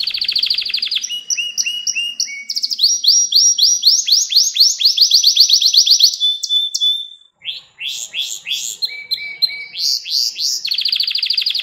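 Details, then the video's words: Canary pouring out continuous song for young canaries to learn from: rolling trills, stepped whistled notes and sweeping chirps in quick succession, broken by one short silence before the trills resume. "Ders Gibi Kanarya Sesi Ve Ötüşü"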